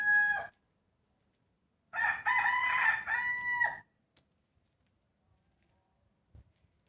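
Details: Rooster crowing in the morning near New Year 2020: the end of one crow, then a loud two-part harmonic crow of nearly two seconds, followed by quiet with faint knocks.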